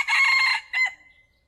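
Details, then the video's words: Crow of a male red junglefowl, played to draw wild fowl into a trap: the tail of a harsh sustained note, then a short clipped final syllable fading into quiet. "เสียงไก่ตัวผู้ใช้ต่อเข้าเร็วมาก | wild fowl sound for trap|suab qaib qus qua zoo heev"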